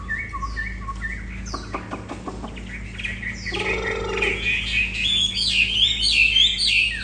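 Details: Old wild-caught Chinese Hwamei, caged and tame. Short paired whistles and clicks lead into a loud, fast stream of high, looping whistled song toward the end, with a low hum throughout.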